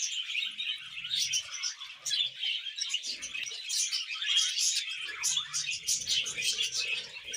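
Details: Budgies mating and breeding: a constant chattering warble with scratchy squawks and chirps, plus scattered low rustling and knocks.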